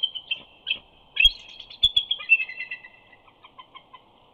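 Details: Bald eagle pair, a male flying in to the nest at Big Bear, greeting his mate at night with soft chortles: a series of high thin chattering notes, quickening then trailing off in spaced fading pips, with a few knocks.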